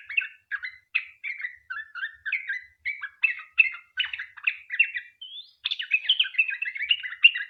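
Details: Sooty-headed bulbul singing a rapid song, used as a lure to get other bulbuls to sing: short chirpy phrases repeated about twice a second, then a denser run toward the end.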